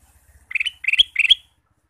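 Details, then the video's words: Male Ruby-throated bulbul in full song through the day: three rapid, cheerful phrases of gurgling notes, each rising to a bright final note, with a faint low hum behind. "Kicau Burung Kutilang Emas: Gacor Sepanjang hari"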